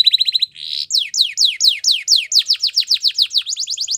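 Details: Belgian canary song: a quick stuttering trill, a short buzzy burst, then a long run of steeply falling whistled sweeps repeated about five per second, ending in a faster high trill.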